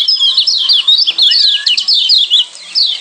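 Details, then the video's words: Lombok white-eye (kecial kuning, Zosterops) sings a fast, continuous run of high, thin chirps and twittering trills, with a brief lower whistled slur partway through. "Kecial Kuning"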